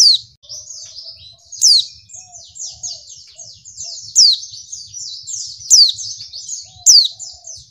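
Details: High rapid twittering from a female white-eye, used to get males calling, punctuated by loud sharp downslurred notes roughly every one to two seconds; faint low background rumble.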